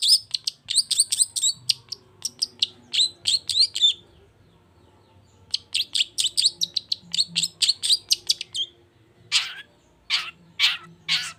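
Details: Long-tailed shrike in fast, high chattering song used to trigger a silent shrike to sing: two bursts of quick rhythmic notes split by a pause, ending in several harsh, scratchy calls.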